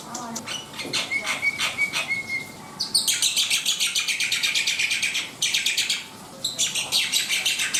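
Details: Black-winged myna singing energetically: thin notes at first, then long bursts of rapid, harsh, high chattering repeated in dense rows, briefly pausing before resuming.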